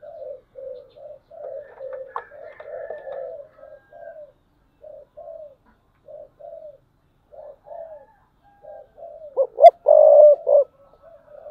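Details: Spotted dove used as a decoy, giving 'thúc bổi' cooing from 2022: many short, soft, low coos repeated steadily, with a loud, rough, rolling coo phrase near the end.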